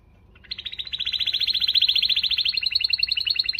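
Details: Canary song meant to motivate females: after a brief quiet start, a long, rapid, rolling trill of high repeated notes runs steadily to the end, shifting slightly in pitch partway through.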